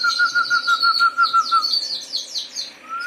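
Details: Harz Roller canary rolling in quick, even pulses at a low pitch for under two seconds, followed by a run of higher slurred chirps from other canaries and a new roll starting at the end.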